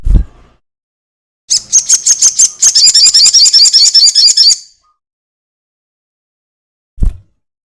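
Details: Crested jay lure recording for drawing other birds into song: a quick run of sharp, high notes that speeds into a dense buzzy rattle lasting about three seconds, framed by low thuds before and after.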